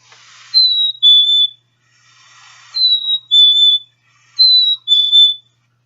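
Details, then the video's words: Black-capped Chickadee singing its distinctive two-syllable song, a clear whistled fee-bee (also rendered "springtime"), from which it rarely deviates. The second note is slightly lower, repeated three times about every two seconds, with faint hiss between phrases. "And rarely does the black-capped chickadee deviate from that 2-syllable song."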